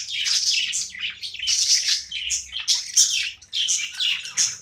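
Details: Playing budgerigar kept as a pet, warbling in quick, bright chirps and buzzy chatter, phrases rising and falling in short waves.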